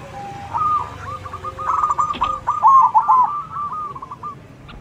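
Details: Zebra dove with a big voice singing 'manggung' while trading calls with local doves: a quick, stuttering series of soft coos that rises and then trails off, over a hissy background.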